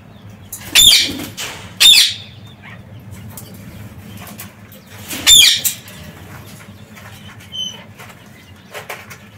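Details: Parakeets loose in their aviary: two grating screeches in quick succession early on, a third after five seconds, then brief faint whistled notes and soft chatter.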